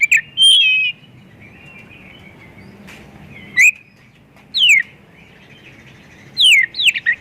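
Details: White-rumped shama, full-repertoire song played to lure other shamas into singing: loud whistled phrases with steep downward sweeps and high trills, separated by gaps of about two seconds over a steady faint hiss.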